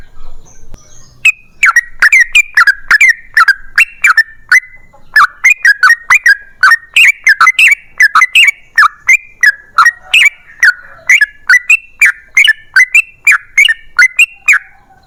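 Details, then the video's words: A long rapid-fire song from a yellow-vented bulbul, used as a lure so other bulbuls answer; after a quiet start come fast runs of liquid, falling whistled notes with short pauses between phrases. "TRUCUKAN GACOR Ropel Panjang Buat PANCINGAN TRUCUKAN Agar Bunyi"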